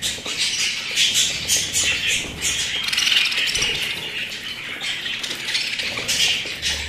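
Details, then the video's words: Pet budgerigars keeping up a steady stream of scratchy warbling, squawks and high chirps, with irregular louder bursts over seven seconds and faint low noise. "আমার পোষা প্রাণী বাজরিগার"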